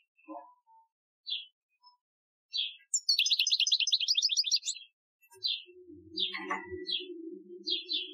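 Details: European goldfinch, Algerian song type recorded 2015 as a training song: scattered high chirps, then a fast two-second rattling trill, then more chirps over a low humming background sound.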